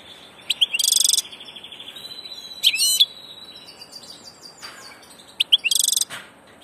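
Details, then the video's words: European goldfinch, a 'del paso' (passage) bird, giving scattered high twittering notes and short harsh buzzy bursts, with a thin sustained whistle and quiet gaps between phrases. "Jilguero del paso"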